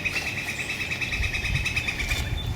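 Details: A woodpecker somewhere overhead at an urban garden in Cincinnati, Ohio, sometime between March and June 2019, gives a fast, steady series of high, clipped notes at one pitch, over low rumbling background noise.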